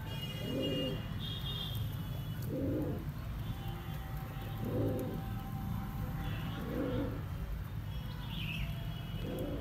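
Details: Pigeons cooing, low soft coos repeated about every two seconds, with faint higher chirps from other birds and a steady background hum.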